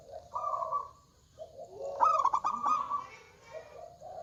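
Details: Local zebra doves, male and female calling back and forth: level purring coos at two pitches, then a loud rapid stuttered burst of notes, followed by more soft purrs.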